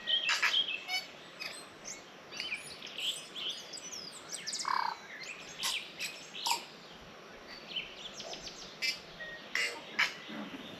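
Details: Tui singing in a tree on a blueberry farm on the Awhitu peninsula, New Zealand, just after 6 a.m. on the summer solstice, 21 December 2024: a jumble of bright, clear notes, clicks, creaks and buzzy high squeaks in short bursts.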